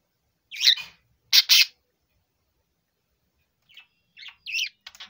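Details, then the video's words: Male budgerigar, four years old, making a mix of sounds: a scratchy chirp and a quick double note, a pause, then soft twittering that ends in clicky bursts. "セキセイインコ♂【鳴き声 】４歳"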